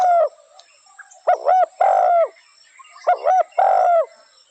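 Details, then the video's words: Spotted dove cooing: loud, throaty paired notes, a short coo then a longer drawn-out one with a slight downward bend, given in two phrases separated by a quiet pause, with faint twitters in between. "Spotted dove sound original"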